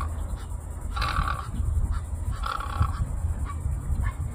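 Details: White egret giving harsh, rasping bursts: a longer one, a second after a pause, and short fainter notes between them, over steady low rumbling noise.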